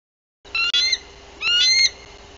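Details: Female bald eagle arriving at her nest in Bluff City, Tennessee, on 14 April 2023, on guard and calling in alert at length; two high, squealing, harmonic bursts about half a second each, separated by a short pause, over a faint steady hum.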